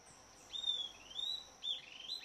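Southern Antpipit giving thin, high whistled notes, about one every half second, some slurred downward, over a steady high insect whine.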